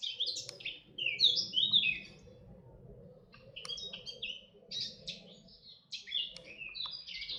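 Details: Red-backed shrike recorded at Artomaña, Orduña, Bizkaia, Spain, in 2025: short scratchy, chattering high phrases in bursts, some with quick rising and falling notes, separated by brief pauses, over a faint low rural hum.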